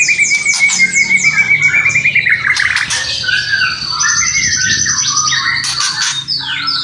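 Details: White-rumped shama kretekan and whistling: a sustained whistled note with fast pulses, then harsh bursts and a varied string of high chattering and whistled phrases.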